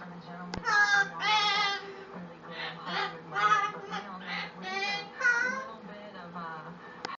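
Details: A male umbrella cockatoo, a pet, sings and dances to his own beat, giving a run of harsh, voice-like bursts about every half second, some rising and wavering, over a steady low hum and a couple of sharp clicks.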